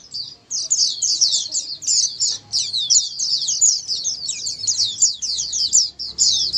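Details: Chorus of white-eyes meant to prompt silent white-eyes to answer; dense, high, chattering chirps pour out continuously, several birds overlapping, with a low hum in the background.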